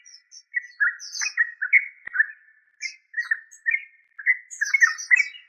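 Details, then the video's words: Yellow-vented bulbul (trucuk) giving bubbly, gurgling phrases of short slurred notes in bursts separated by brief pauses, with thin high squeaks above. "Yellow Vanted bulbul trucuk"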